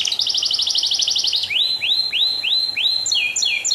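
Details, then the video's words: Canary singing hard, offered as a teaching song for songbirds: a fast rattling trill for over a second, then evenly spaced rising-falling whistles, then short double notes. "Kenari gacor"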